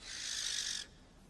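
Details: Barn owl, a nocturnal hunter emerging at moonrise: a single harsh, hissing screech of under a second, broad and rasping with no clear pitch, then fading into quiet background.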